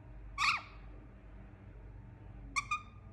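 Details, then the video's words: Indian ringneck parakeet kept as a pet: one loud, harsh screech, then after a pause a quick pair of shorter, rasping squawks, in a quiet room with a low background hiss. "Relaxing Parrot Soothing Sound"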